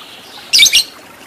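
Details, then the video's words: Lovebird in a training recording meant to teach long ngekek chattering: two quick harsh, buzzy bursts in close succession, high-pitched and noisy, over a faint steady background hiss. "Masteran Lovebird Agar Cepat Menjadi Lovebird Fighter Ngekek Panjang"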